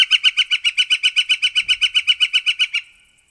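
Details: Northern flicker giving a loud, rapid series of identical ringing notes, about seven per second, steady in pitch, lasting nearly three seconds and then stopping abruptly.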